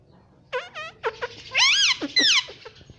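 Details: Pet parrot talking: quick bouncing harmonic syllables run together, then one longer, louder swooping phrase, with brief squeaky notes trailing off at the end.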